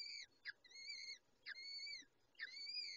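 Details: Peregrine falcon chicks as the adult female feeds them: drawn-out, thin, wavering whines, each opening with a short rising note, over steady background hiss.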